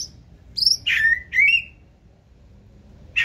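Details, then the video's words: Caged white-rumped shama, a 2024-season bird, singing 'forest voice' song: two loud, sweeping whistles that drop from high to mid pitch, followed by silence and one sharp final note. "Chòe lửa bông hót giọng rừng"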